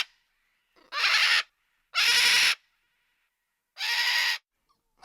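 A macaw gives three loud, harsh, raspy squawks, each about half a second long, spaced one to two seconds apart, with silence between.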